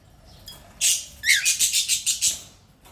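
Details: Cockatiel kept as a pet: a harsh, noisy screech, then a short downward-sliding note, then a rapid run of about eight raspy pulses in just over a second, fading into quiet.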